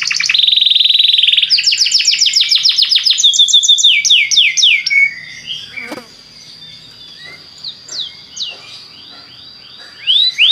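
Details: Belgian canary singing to make other canaries sing: a steady buzzy roll and fast trills, then descending whistled slurs that grow quieter and sparser, a single sharp click midway, and a louder burst near the end.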